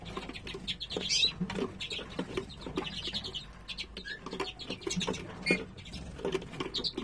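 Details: A male Siberian bullfinch gives a busy run of short, high chirps and twittering notes, loosely repeated throughout, over steady scratching and rustling.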